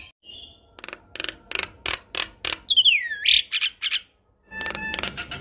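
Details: Tame Javan myna singing, its song played to young birds as a model: a short whistle, evenly spaced dry clicks, a swooping whistle, several shrill squeaks, then a scratchy chatter.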